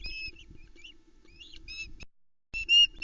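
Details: Ospreys at a nest in the Arkaig Community Forest on 10 July 2020 at dawn, as the male delivers a headless trout to the female and chicks; repeated high, thin whistled chirps in quick bursts, a pause, then louder chirping resumes.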